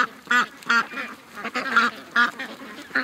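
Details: Ducks among a flock of more than 700 ducks and geese rushing to a lake in the morning, recorded August 6th, 2015: loud nasal quacks in short bursts at irregular intervals, some overlapping, with fainter calls from other birds behind.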